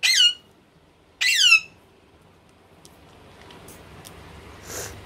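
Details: Rose-ringed parakeet (ringneck, male and female present) gives two loud, harsh, high squawks about a second apart, then quiet indoor background with faint clicks and rustling.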